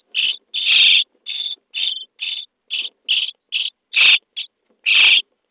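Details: Common starling nestlings begging in a nest box on day 23 while being fed: about eleven harsh, hissing rasps in quick, uneven succession, some short and some drawn out, with no other sounds.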